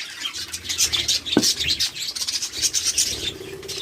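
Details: Budgerigars at a breeding farm of 100 pairs in Pakistan: dense, continuous high chatter of many overlapping short chirps and squeaks, with occasional rustling and rasping sounds underneath.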